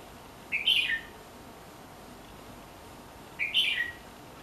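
A Red-whiskered Bulbul sings two short, liquid, warbled phrases about three seconds apart, with a faint steady hiss behind them.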